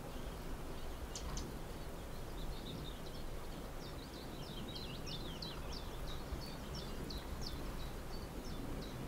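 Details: Little grebe family, adults with a couple of chicks, busy gathering food in the dunes of Egmond, Netherlands; a long run of thin high peeping notes, rapid and repeated, over strong low rumbling background noise.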